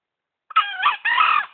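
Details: Green junglefowl, a tame bird lure-trapped in Gunungkidul and kept three months, crows once loudly: a clipped, rough opening syllable, a tiny pause, then a drawn-out buzzy second syllable, roughly one second long, in otherwise silent surroundings.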